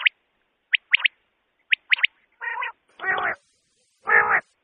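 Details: Common quail calls, recorded for night hunting: sharp high notes, single then in quick pairs and triplets, followed by three harsher, nasal, buzzy bursts of about half a second each.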